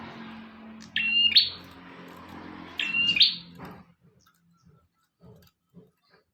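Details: Lively bar-winged prinia song for tutoring cage birds: two high phrases, a steady whistle then a buzzy rising burst, about two seconds apart over a low hum, followed by quiet with faint clicks.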